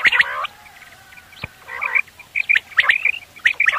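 Quail calling in quick bursts of bright, chirpy, slightly squawky notes, clustered in short runs with brief pauses between them.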